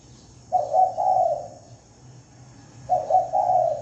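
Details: Spotted dove lure calling, delivered clean with no background noise: two low, mellow cooing phrases, each about a second long and built of three soft swelling notes, separated by a pause of roughly two seconds.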